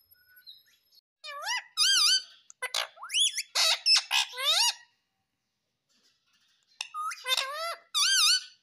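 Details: Talking ringneck parrot mimicking "mummy papa", giving bursts of harsh, rising and falling squawked syllables in two groups, with a silent pause between them, in a quiet indoor setting.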